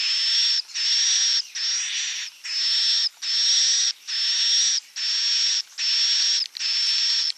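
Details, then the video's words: Swiftlet roosting calls: harsh, hissing buzzes threaded with a thin high whistle, each under a second and repeated about once a second. "Suara Inap Walet"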